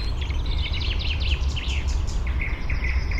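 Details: Penduline tit in Uppland, Sweden, at Fysingen, carrying nest material to a ring-shaped nest high in a birch, parabolic recording; a quick cluster of sharp V-shaped chirps, then a few level thin whistles, over low rumble.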